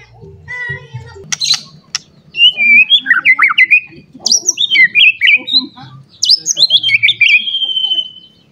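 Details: White-rumped shama, agitated and searching for a rival, pours out a varied song of rapid warbled and buzzy notes in several runs, ending in a sweeping whistle, with low hum behind.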